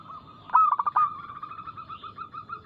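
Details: Local zebra dove singing a single quick phrase as lure song for caged birds: a sharp burst of rapid pulsed coos that settles into a sustained note. Fainter rhythmic cooing from other doves follows.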